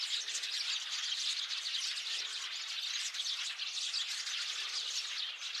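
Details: Sparrow flock chattering on 8 February 2024, constant high overlapping chirps and tweets from numerous birds, steady in loudness from start to end.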